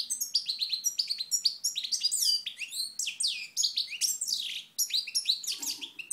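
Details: Singing European goldfinch from Moknine, Tunisia, 2012, in sunlight: fast continuous run of tinkling chirps, slurred whistles and buzzy notes, steady and bright throughout.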